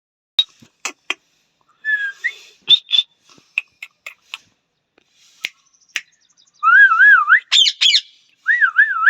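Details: A parrot gives sharp clicking snaps and short chirps, then a run of loud wavering whistles that rise and fall like a siren, with a burst of harsh squawks near the end.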